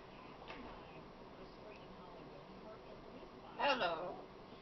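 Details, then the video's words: A pet talking macaw, female, utters a single brief, hoarse, speech-like word near the end, after several seconds of quiet indoor room noise with a faint tap. "talking macaw"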